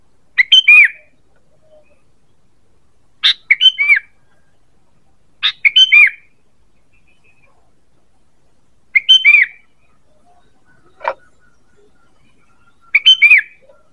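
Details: Repeated sooty-headed bulbul lure calls, six sharp chirp-and-falling-whistle phrases at irregular intervals, with one brief click-like sound near the end.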